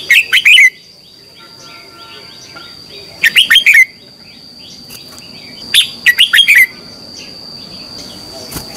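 Red-whiskered bulbul singing three bursts of bright, liquid warbled phrases about every two and a half seconds apart, with faint background chirps and a steady high hum.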